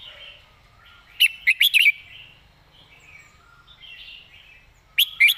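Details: Caged red-whiskered bulbul sings its main song pattern with clear, distinct phrasing: two loud bursts of bright chirping notes, one at the start and one at the end, separated by soft, quiet warbling.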